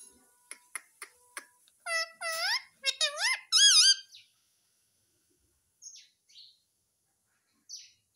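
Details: Pet Indian ringneck parakeet talking, saying "mummy" over and over; sharp clicks first, then a run of high, bending, voice-like syllables, followed by quiet with a few faint squeaks indoors.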